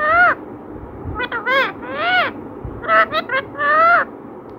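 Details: Chatty pet parrot imitating speech: a run of voice-like harmonic syllables, several long and arched, others short and choppy, in two phrases separated by a brief lull; low background hum throughout.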